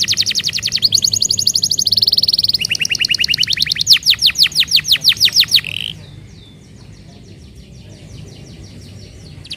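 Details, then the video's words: Canary singing to stimulate non-singing canaries: quick trills and a rapid series of sharp descending notes for six seconds, then the song fades into a faint, distant rattling trill. "PANCINGAN BURUNG KENARI AMPUH UNTUK KENARI BEGU"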